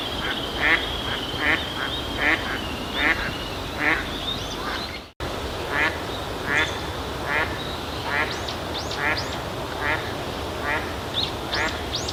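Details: Eastern spot-billed duck giving its everyday call, a steady run of hoarse, nasal quacks, about one every second, over a continuous high insect-like hiss with a few thin chirps from other birds.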